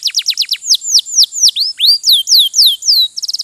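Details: Posture canary, a domestic variety, gives quick falling notes, then slower, arching whistled sweeps, and ends with a tight rapid trill.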